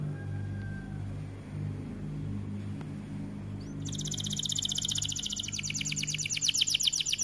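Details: White AF canary in energetic song: a low steady hum with little else for about four seconds, then a loud, fast, buzzy trill of high repeated notes bursts in and carries to the end.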